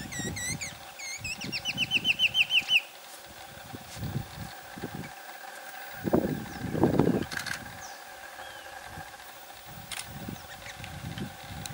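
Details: Green-backed Becard in Ouro Preto, Minas Gerais, Brazil, giving about a dozen quick, sweet, upslurred notes that speed into a brief trill, over low rumbling like a passing engine.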